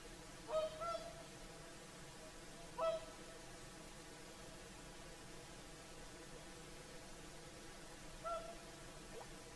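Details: Evening song of whooper swans at sunset, Lake Saimaa shore: a pair of honks opens, another follows two seconds later, then a long pause before a final nasal trumpet note, all over a calm, hissy background.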